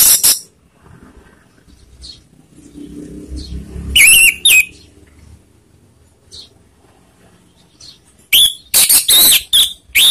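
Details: Lure song of an Orange-headed thrush meant to anger rival birds: sharp opening note, quiet gap, a pair of whistled bursts midway, then a rapid cluster of loud, slurred whistles and harsh notes at the end.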